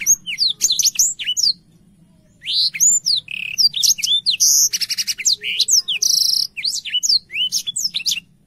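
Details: Black-throated canary, a clear-voiced bird used as a song tutor for young canaries, sings a fast, varied song of high sweet whistles, rapid trills and buzzy notes, pausing briefly once, over a faint low hum.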